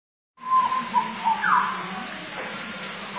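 A hooded butcherbird gives a few clear, fluty whistled notes at a steady pitch, then a quick rising flourish, over a constant background hiss and low hum.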